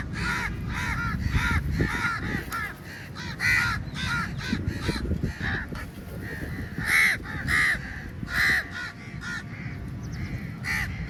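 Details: Feeding-time crowd of crows descending on food, many birds cawing over one another in overlapping harsh bursts, with several louder drawn-out caws standing out near the end above low background noise.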